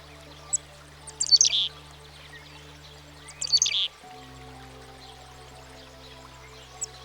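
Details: Black-capped Chickadee, a familiar American backyard bird: two bursts of scratchy calls, each a few high sharp notes slurring into buzzy lower notes, separated by pauses, over quiet sustained background music.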